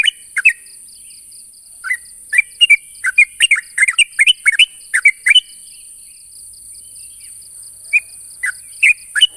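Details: Sooty-headed bulbul challenging a rival: a dense cluster of quick bubbly chirps, a pause of about two seconds, then sparser single and double notes, over a steady high hiss.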